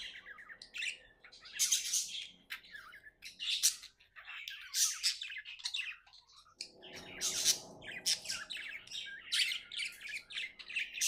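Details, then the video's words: Cheerful budgerigar chatters continuously with buzzy, high chirps and rapid twitters, over a steady low hum in the background. "Happy budgie chirping sounds"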